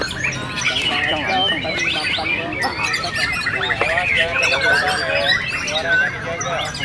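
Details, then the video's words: Competition murai batu, or white-rumped shama, performing at the Prescup VI event in Cibubur, Indonesia. It pours out a dense, continuous stream of fast warbles, trills and clear whistles. Other birds sing at the same time, and people talk in the background. "AKSI MURAI BATU RANCAP"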